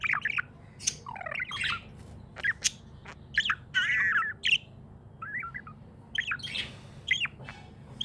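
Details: Cheerful budgerigar chatter, quick strings of sliding chirps and harsher squawky notes packed closely together, a louder buzzy burst midway, then scattered short tweets, over a steady low hum.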